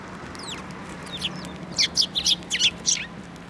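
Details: At Tenmangu shrine, 15 March 2024, sparrows coming to a hand for food. A few thin descending notes lead into a rapid string of about eight sharp, loud chirps, roughly three per second, over a faint steady hum.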